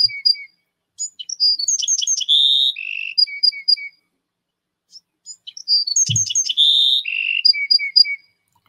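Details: Bewick's Wren, a species that can be quite urban, gives a toy-like song reminiscent of a Song Sparrow. It sings two bright phrases: a few high introductory notes, a buzzy trill, then a run of short descending whistled notes, with one soft low thump.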